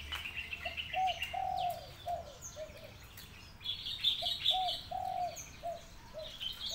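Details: Spotted dove (derkuku) giving two phrases of the kuk 2, deruk sandungan coo: short hollow notes, then a longer drawn coo and trailing softer ones, while other small birds chirp and twitter higher above.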